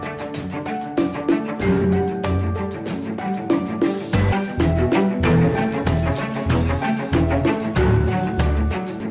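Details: Loud rhythmic instrumental music plays throughout, with no animal voices heard.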